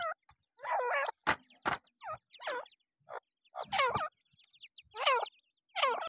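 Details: Black francolin chicks (Irani or Dakhni teetar) calling with rapid, trilling, up-and-down chirps in quick bursts. Several loud, sharp taps or knocks punctuate the chicks' calls.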